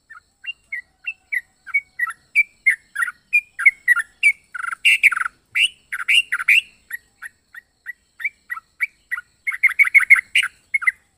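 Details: Caged yellow-vented bulbul with an unusual, varied voice: a long series of short chirps and squawky notes, about three per second, some sliding down, louder and denser in the middle and near the end.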